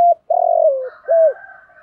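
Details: Part of a spotted dove lure phrase for wild doves: a brief coo, a long throbbing coo sliding downward, then a clear rounded coo, while a fainter, higher coo carries on behind.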